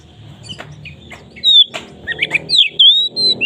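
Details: Oriental magpie-robin song for luring others to sing, heard over a low murmur: scattered chips, then bright drawn-out whistles sliding down, and a few rising notes.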